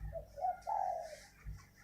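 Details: Decoy spotted dove uttering a brief series of mellow coos, a short note then a longer drawn-out one, against a constant low hum.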